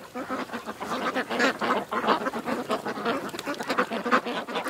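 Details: Many ducks at a creek calling at once: a continuous babble of raspy, nasal quacks, short and rapid, rising and falling in loudness without a steady beat.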